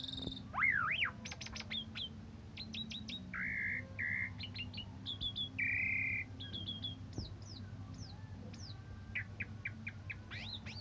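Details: Asian pied starling song in morning and evening condition, kept as a model for training other songbirds: a long varied medley of sweeping whistles, short sharp chips, and steady buzzy harmonic notes, with a constant low hum beneath.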